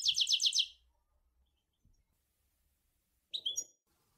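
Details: European goldfinch from Sour El Ghozlane: a quick burst of four or five rhythmic twittered notes, a pause, then a short, clear whistled phrase.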